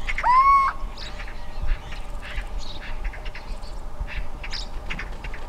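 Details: A little owl (Athene noctua) in the Alentejo, Portugal, gives its advertising call, one clear, rising, whistled mewing 'hoo-eee' over faint background hiss. Sparrows and a European roller are also heard in the recording.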